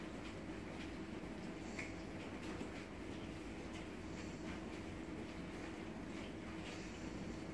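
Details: Steady broadband rumbling noise continues throughout, with no animal calls heard.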